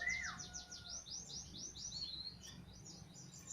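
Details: A white-eye (pleci), a fighter bird in full song used as a lure to make other birds sing, gives a fast, unbroken run of thin, very high chirping notes, six or seven a second, opening with a brief falling whistle.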